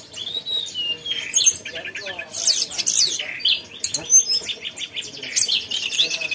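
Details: Lively, chattering mountain tailorbird song of dense high chirps, buzzy repeated notes and scattered piercing whistles, with several overlapping phrases.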